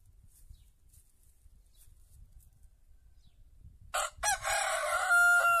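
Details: After several seconds of near silence, a white rooster bursts into a loud crow: brief rough notes leading into a drawn-out, level, ringing note that continues to the end.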